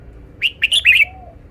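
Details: Red-whiskered bulbul displaying its song phrasing: one loud, lively phrase of four or five quick bubbling whistled notes, ending abruptly, with a soft low coo afterwards.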